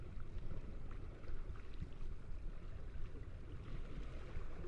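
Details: Low rumbling water and boat noise with wind buffeting, no animal calls heard.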